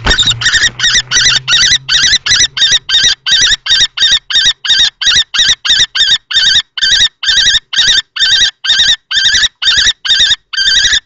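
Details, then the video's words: Common kestrels, two males fighting over a nest box at Théding, France, 20 March 2024: a young male and an older adult male. Sharp, harmonically rich 'kee' notes repeat steadily, about two to three per second, for the whole stretch. "Bagarre entre 2 mâles - 20/03/2024 - Les faucons crécerelles de Théding"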